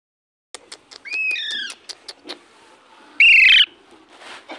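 A parrot gives a loud, harsh screech after a run of sharp clicks and a pair of wavering whistled notes.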